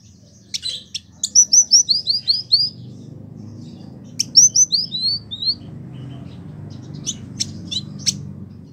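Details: Village indigobird (Vidua chalybeata), a caged bird kept for a year in Bandung, West Java, Indonesia, used as a tutor bird for song, singing actively. Strings of sharp descending whistled notes in quick runs, with buzzy scratchy bursts between phrases.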